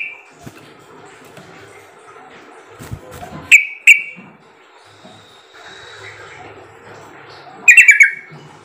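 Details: Sooty-headed bulbul call played to lure other birds into answering: two separate sharp chirps midway, then a short burst of rapid notes near the end, with faint background noise between.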